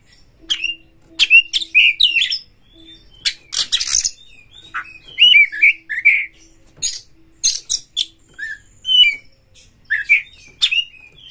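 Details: White-rumped shama kept caged and provoked to fight a rival, delivering a long stream of clicks, harsh bursts and short slurred whistles at an irregular, lively pace over a low faint hum.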